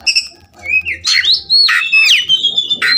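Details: Oriental magpie-robin singing, used as a short therapy recording for a bird that has stopped singing: clear whistled slides and a drawn-out level whistle, broken by harsh buzzy bursts, dense and energetic.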